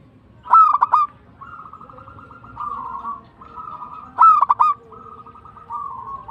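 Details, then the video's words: Local zebra dove sings two bright phrases of rapid staccato coos. Between them run long, soft, purring trills broken into short rolling segments. "PERKUTUT LOKAL GACOR TUMBAK CUCUKAN ASLI BIKIN GACOR"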